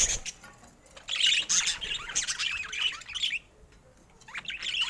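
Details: Colourful pet budgerigars chattering in a rapid stream of squeaky, buzzy chirps and warbles. The chatter fades to near quiet after about three seconds, then resumes briefly at the end.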